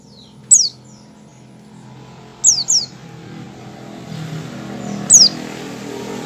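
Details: Opening ngecal call of a white-eye, made before it starts full song: short, very high, downslurred notes, one single, then a quick pair, then another, spaced about two seconds apart over low droning hum.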